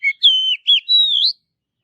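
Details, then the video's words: Natural forest song of an Oriental magpie-robin: a brief low note, then a run of loud, sweet whistles that dip and then glide upward into a long rising note; clean, with no background sounds. "Kicauan Kacer Alami Di Hutan"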